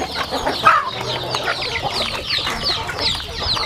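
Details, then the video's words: Farm chickens feeding, heard as many shrill descending peeps in quick succession, one slightly louder chirp near the start, over a faint low drone. "Yummy sounds chicken eating"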